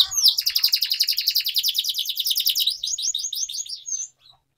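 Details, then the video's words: Training song of a canary meant to coax young birds into learning: an intense, fast rolling trill of high notes packed closely together, then slightly slower chirping phrases before fading out at the end. "Canary Singing Training || Kenari Gacor Panjang Cuit Cuit Emosi, Pancingan Kenari Paud Belajar Bunyi"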